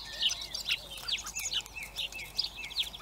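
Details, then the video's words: Hungry blackbird chicks in Recke, Germany produce a dense, continuous chorus of overlapping high chirps and squeaky notes with no clear gaps, against background hiss. "Hungry Baby Black Birds"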